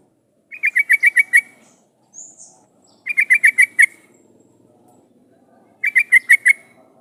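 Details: Yellow-vented bulbul (trucukan) in a lure recording for prompting other bulbuls to sing back. Three rapid bursts of about six or seven sharp, chattering notes, with a faint high squeak between the first two.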